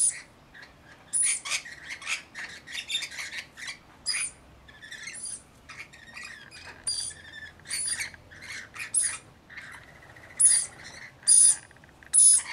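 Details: A busy stretch of rainbow lorikeet chatter while bathing and feeding. Rapid clicks, raspy chirps and shrill screeches come in irregular bursts, growing louder toward the end.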